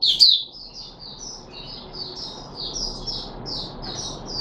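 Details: Puteh Raja red-whiskered bulbul, caged and given fruit juice plus a mealworm on 13 April 2021, opens with a sharp loud note then runs a long even chain of soft, high warbling notes.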